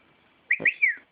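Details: Three-year-old Alexandrine parakeet, a talking pet bird kept indoors, gives a short whistled phrase of three sliding notes, rising then gliding down, between bits of human-like chatter.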